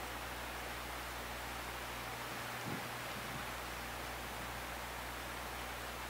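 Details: Even broadband hiss with a low hum and one soft thud midway, no calls heard.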